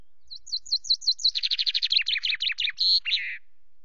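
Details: Common chaffinch at Loch Garten, 24 May at 17.02, preening and singing on the cam perch: several looping whistled notes, then a rapid dense trill of falling notes and a final twisting flourish.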